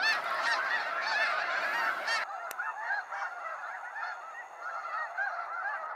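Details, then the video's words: Snow geese leaving Sacramento National Wildlife Refuge at sunset, an intense clamor of honks that suddenly thins after about two seconds into a sparser chorus of yelping calls. "Waves of Snow Geese Sunset Fly-out"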